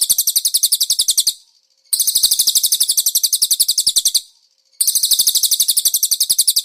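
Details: Konin cage-bird master song with cililin imitation. Shrill, rapid chattering trills come in three bursts, each one to two seconds long, with clean half-second gaps between them.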